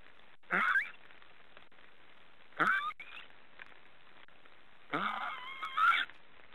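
Black storks give three hoarse, rising, wheezy calls a couple of seconds apart, the last longer with a wavering tone, against a quiet background.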